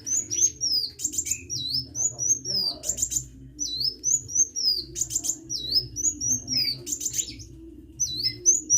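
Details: Rapid hummingbird song of high, thin, slurred whistles, regularly broken by short dry buzzy bursts, with a soft hum in the background.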